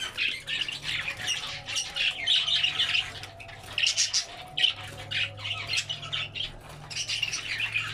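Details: Albino red-eyed budgerigars eating vegetables: a continuous jumble of chirps, squawks and warbling chatter from several birds, with a low electrical hum underneath.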